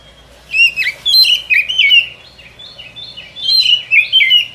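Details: White-rumped shama song used as a lure for forest trapping, a run of rich whistled notes that swoop down and rise again in quick succession, loud and clean.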